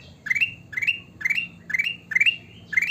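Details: Sooty-headed bulbul delivering steady rising phrases, about two per second, each a stepped upward chirp finishing in a short level whistle, with a faint low hum beneath.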